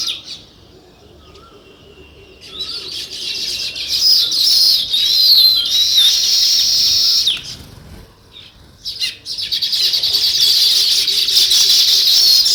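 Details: A flock of sparrows chirps in a natural setting, starting quietly and swelling into long stretches of dense, high, overlapping chatter with one short pause.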